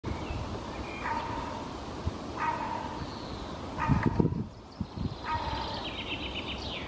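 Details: A hooded crow standing on a thick branch in Helsinki, Finland, in June 2024 gives four hoarse, bark-like caws spaced about a second and a half apart, over steady low rumbling wind or traffic noise.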